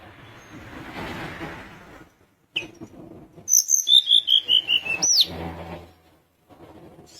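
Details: Sunda minivet, described as a lively singer. A regular series of high, pure whistled notes descends step by step, then a looping upswept note follows. Low muffled noise comes before and after.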